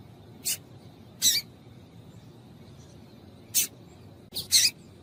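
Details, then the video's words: Female double-collared seedeater calling, a call used to stimulate males to sing; four short, sharp, high hissy notes, spaced irregularly over five seconds against a quiet background hum. "Piado de Fêmea de Coleiro para Esquentar Coleiro"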